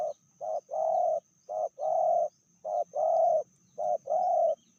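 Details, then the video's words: Medium-voiced spotted dove from Indonesia, one of a pair where the hen is said to be more aggressive than the cock. A steady series of coo phrases: a short note, then a long buzzy level coo, repeated four times. "Betinanya lebih ganas dari jantannya/bl suara sedang"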